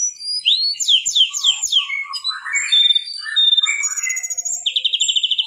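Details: A mangrove whistler sings on a master recording: quick down-slurred whistles repeated four times, lower warbling notes, then a fast, even high trill at the end.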